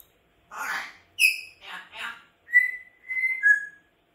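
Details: Pet grey parrot in the home making rough squawks followed by clear, level whistled notes and a final slightly falling whistle, in a silent room.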